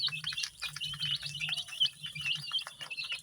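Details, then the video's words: Many baby chicks dyed in bright colours such as red, yellow, green, pink, purple, orange and white, peeping together in a dense, overlapping chorus of high, short chirps, with a faint low hum underneath. "Cute baby chicks chirping sounds"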